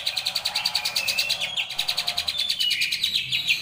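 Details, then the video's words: Rolling harsh besetan song of a greater green leafbird, recorded for song training: nonstop fast rattling pulses, loud and grating, broken by brief high whistled slurs throughout. "masteran cucak ijo//ngerol besetan kasar"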